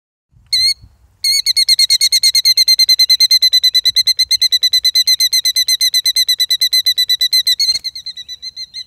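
A killdeer gives one shrill note, then a rapid run of high, piercing notes, about six a second for several seconds, softening at the end after a sharp knock.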